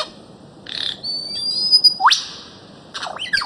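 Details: Bird-of-paradise from Papua and the Aru Islands of Maluku, used as a training recording for cage birds: a brief buzzy burst, a long thin steady whistle, then a sharp rising sweep and scattered chattery notes.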